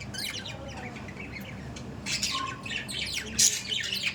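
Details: Pet budgerigars trade scratchy chirps, then break into louder harsh squawks in the second half, with one sharp peak.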